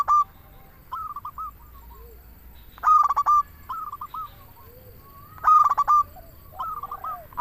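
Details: A local zebra dove sings steadily to draw doves into song: loud rapid stuttered coos every two to three seconds, softer cooing runs and low arched notes between them, over a quiet background.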